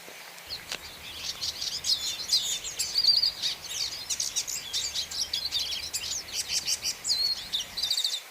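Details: Hooded siskin singing a long, unbroken, high-pitched twittering warble of rapid chirps, buzzy trills and thin whistled slurs, steady through the whole stretch over faint background hiss.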